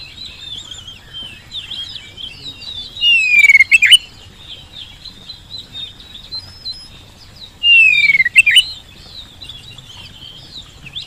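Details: Oriental magpie-robin lure song to coax a reply: soft, twittering subsong under two louder phrases, each a long descending whistle ending in a burst of sharp notes, about five seconds apart.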